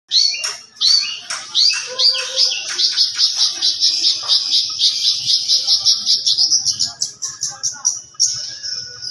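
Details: Young long-tailed shrike with a rich, varied repertoire and style: a dense, high run of rapid chattering notes and short whistles, speeding into an even trill of repeated clicks, then a steady high whistle at the end.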